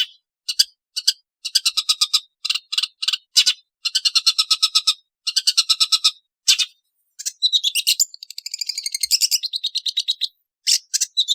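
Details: Long-tailed shrike giving harsh, grating, broadband notes in rapid bursts of several, with short pauses between bursts and a squeakier, higher chatter near the end; no other sounds.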